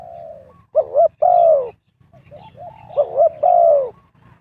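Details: Spotted dove cooing to lure wild birds during trapping: two low, mellow phrases, each a quick doubled note followed by a longer drawn-out coo that slides slightly downward, separated by a short pause.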